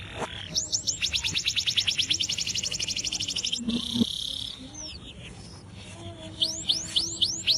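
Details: Atlantic canary singing without a cage, a master song for training other birds: a fast run of sweeping notes merging into a long rolling trill, brief pause, then quieter twitters and repeated rising chirps at the end.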